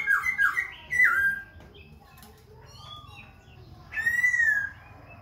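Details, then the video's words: Khe Sanh laughingthrush singing while dancing and changing voices without pause: a loud burst of warbled whistles opens, quieter soft notes follow, then a long clear descending whistle rings out before fading. "Khướu Khe Sanh hót múa đảo giọng liên tục"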